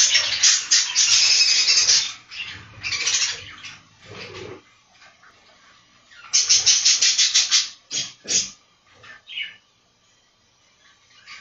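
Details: Many budgerigars in a breeding room of a budgie farm: loud bursts of rapid, buzzy, rattling chatter lasting a second or two, separated by quieter gaps with single scratchy chirps.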